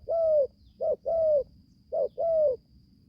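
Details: A young caged spotted dove from Gia Lai, Vietnam, newly calling, is taken to the forest to train for the first time. Three mellow coos fall slightly, two of them preceded by a short note, over low background rumble and a faint high tone.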